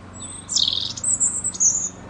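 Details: A bird chirping: a thin, very high whistle, then a loud buzzy chirp followed by two sharp, high piercing notes in quick succession.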